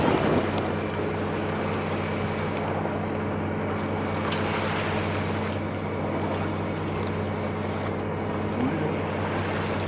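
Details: A boat engine hums steadily with tonal drones, over washing water and wind.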